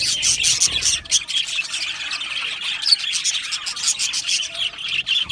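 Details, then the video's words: An aviary full of happy budgerigars gives a steady wash of high chirps and scratchy warbling, with a brief louder squeak near the middle. "Happy Budgies Sounds | Budgies Chirping Sounds | happy Budgie sounds for lonely Budgie birds"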